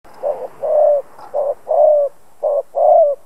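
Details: Decoy Spotted dove cooing to provoke other doves into calling; clean, mellow phrases alternating a short coo with a longer, slightly falling croon, three pairs in quick succession against a silent background.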